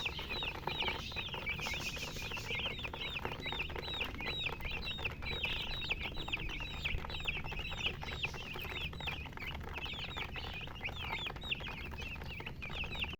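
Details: Chorus of baby chicks giving rapid, piercing peeps, each note sliding downward, repeated without pause by many birds together, over a droning low hum.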